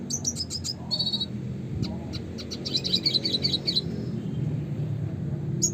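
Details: Spinus cucullatus, the red siskin, delivering its classic song: a quick series of high chirps, a brief buzz, then a long run of rapid twittered notes, against a low rumbling background.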